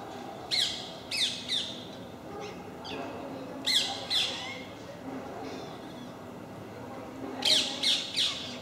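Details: Parakeets creating a racket at MK park, where a group visits regularly: loud harsh screeches in quick runs of two or three, separated by pauses, over faint background noise.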